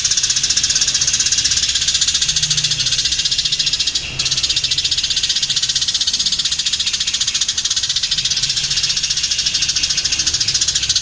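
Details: A fighting-type house sparrow in very long, continuous chatter: a dense, unbroken run of rapid, rattling chirps, high and harsh, with one brief pause in the middle.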